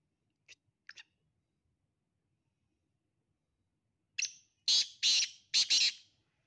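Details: Black francolin: a few faint clicks early on, then after a long silence a loud burst of four rasping, harsh notes in quick succession, all high-pitched.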